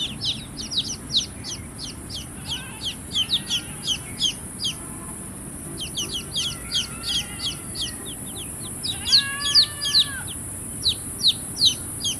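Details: Baby chicks keep up lively chirping of sharp, falling peeps in dense runs, with a few longer level whistles near the end and a constant hiss behind.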